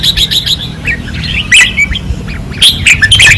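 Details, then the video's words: Caged red-whiskered bulbuls singing fiercely on a training perch in 2024: rapid rhythmic chirps at first, then rich jumbled whistled phrases in two strong bursts, over faint low hum. "เสียงนกกรงหัวจุก ราวซ้อม ร้องอย่างดุเดือด"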